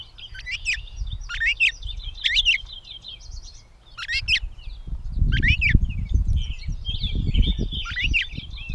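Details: Gray catbird, Bowdoinham, Maine, May 16, 2020: repeated clusters of scratchy, squeaky notes and slurred whistles, phrases every second or so, with low rumbling noise growing louder in the second half.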